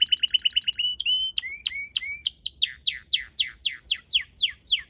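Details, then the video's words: Red canary singing in a garden with purple azaleas. A quick trill, then flat whistles, then a series of loud, steeply falling sweeps repeated about four times a second. "Red Canary Singing"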